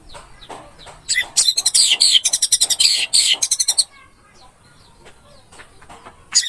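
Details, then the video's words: Orange-headed thrush song played as tutor material for a bird gone quiet: a loud two-and-a-half-second run of fast, harsh, scratchy notes, then near silence with scattered soft chirps and a final sharp note. "MP 3 MASTERAN ANIS MERAH MACET BUNYI"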